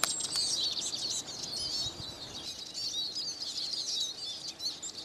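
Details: Eurasian siskin song: rapid, squeaky twittering in quick bursts with twangy slurred notes, the phrases running almost without a pause.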